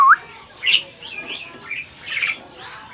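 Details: Asian pied starling parent bird uttering a quick rising whistle, then a few spaced squeaky, scratchy chirps over three seconds.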